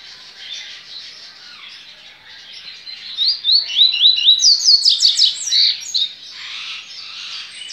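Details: Yellow-bellied seedeater kept by a licensed breeder in Brazil, 23 November 2019, sings soft scratchy twittering that swells into a loud, fast string of clear up-slurred whistles, closing with a few lower chirps.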